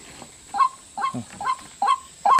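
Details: White-breasted waterhen calls played from a soundbox beside a decoy bird to lure wild waterhens into a one-door trap: a harsh, honking note repeated about every half second, five times, over a steady high hiss.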